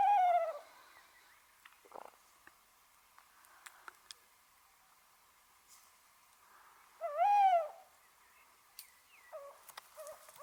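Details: A Tawny Owl (Strix aluco) gives two loud, short, slightly falling calls about seven seconds apart. Faint clicks and softer calls come near the end.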